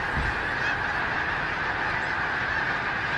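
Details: Huge wintering flock of snow geese taking off together, apparently startled, and circling Gordon's Pond, Cape Henlopen State Park, Delaware, late December, gray overcast after rain: a dense, unbroken clamor of countless overlapping high honks at steady loudness throughout.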